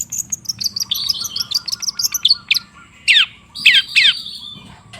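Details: A long-tailed shrike sings as a lure to restart a silent shrike: a fast, high twittering run followed by several loud, sweeping down-slurred calls spaced about half a second apart.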